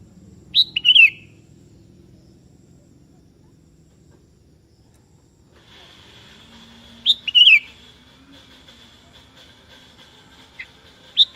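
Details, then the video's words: Sooty-headed bulbul (kutilang kebo) singing persistently to call a rival, which answers; two short bubbly whistled phrases about six seconds apart, a faint third at the end, over a low background hum. "Suara Merdu Burung Kutilang KEBO Gacor Memanggil Lawan Ikutan Bunyi"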